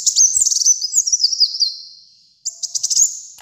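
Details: Brown-throated sunbird, a kept songbird singing actively, recorded as a training and lure track for pet birds: a high, rapid twittering trill that slides gently downward, pauses, then restarts in a fast chattering burst.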